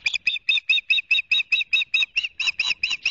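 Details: Nest-cam recording of an Osprey at Barnegat Light, New Jersey, on 29 June: a fast, insistent series of about fifteen shrill whistled chirps, roughly five per second, strong and regular throughout.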